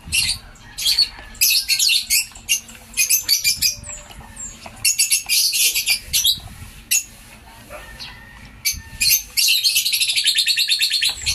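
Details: African lovebirds in a home aviary, enjoyed by their keeper: loud, shrill, squawking bursts in quick clusters, with short pauses between volleys and several birds calling together.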